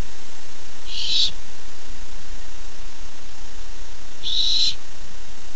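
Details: Barn owl owlet anticipating its first treat, recorded on a nest cam 13 July 2015; two harsh, noisy hissing screams roughly three seconds apart, low hum underneath.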